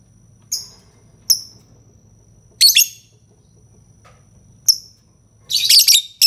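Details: Lovebird calling: short high chirps spaced about a second apart, then a loud harsh rasping burst near the end; faint low hum underneath.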